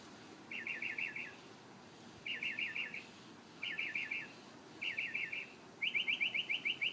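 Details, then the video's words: Morning song of a bird heard every day near a home: quick bursts of five or six rattling high notes, repeated about every second, ending in a faster, sharper trill of rising notes. "Amazing Bird sings 25 different sounds"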